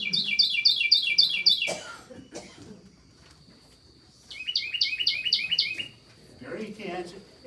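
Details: A Carolina Wren from Knox County, nesting season, gives two loud bursts of rapid, rolling 'teakettle-teakettle' phrases, five or six per burst, with faint voices and a thin steady whine behind.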